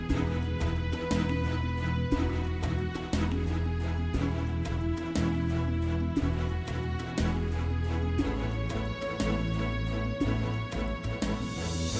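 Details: Steady instrumental background music with a strong low bass line and regular beats, with no animal calls heard.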